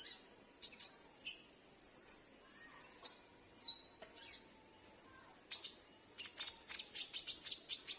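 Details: Caged sunbird kept at home, singing and answering another bird, used as a lure for wild sunbirds: thin, high whistled notes and quick downslurred sweeps at irregular intervals, ending in a fast run of sharp high chirps.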